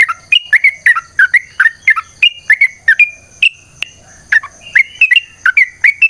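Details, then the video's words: ['Yellow-vented bulbul in full fighting-style song, used as a lure so other birds start singing. A fast run of chirpy whistled notes is slurred up and down, broken by a short gap before more rapid phrases. A steady thin whine is audible.'] "TRUCUKAN GACOR TARUNG ROPEL PANJANG Pancingan trucukan Agar Bunyi Jadikan Burung Trucuk Gacor Nyaut"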